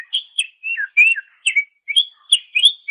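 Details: Greater green leafbird on a master for songbird training: continuous rich warbling of slurred whistles and quick chirps, each phrase rising or falling, delivered with little pause.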